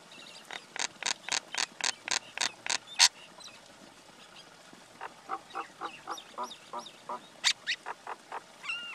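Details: Male and female common myna calling: a steady series of about ten loud harsh chack notes, then a looser run of lower croaking notes mixed with a high squeak and a rising whistled note at the end.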